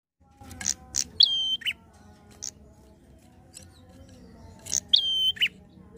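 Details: Prinia in active "ngalun" fast song used to provoke other prinias: two phrases, each a sharp high note, a long steady whistle and a lower burst, with scattered high chips between.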